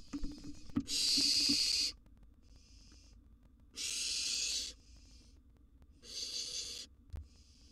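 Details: Hissing, rasping screeches from a wild barn owl nestling being fed a sizeable gerbil in a nest box; three loud bursts of about a second, softer hisses between, a few clicks and thumps.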